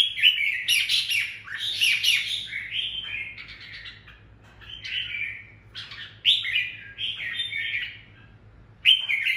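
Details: Red-whiskered bulbul, a decoy bird singing to provoke rivals, in the sharp ché style: bright, scratchy, warbled phrases broken by short pauses, with some higher, squeakier bursts.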